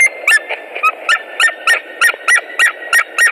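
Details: White-tailed eagles at a nest in Latvia on 17 March 2018, around a mating attempt: a fast series of sharp, yelping notes with a clipped, ringing quality, about three or four each second, evenly repeated.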